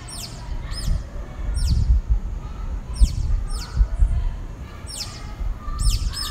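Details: Dawn song of a single pale-breasted thrush in southeastern Brazil: high, arched, ringing whistled notes given in quick pairs and triplets, repeated with short pauses, over steady low rumbling background noise.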